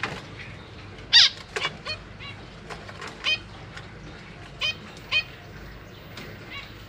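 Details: Zebra finch family in a cage, parents feeding newly hatched and juvenile young: a loud sharp nasal call, then softer clipped beeps spaced about a second apart against a faint background hum.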